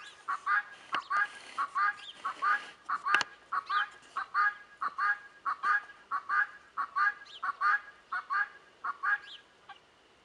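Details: Helmeted guineafowl calling in the background, harsh grating two-part cackles repeated steadily about one and a half per second for ten seconds, with a short burst of noise near the start.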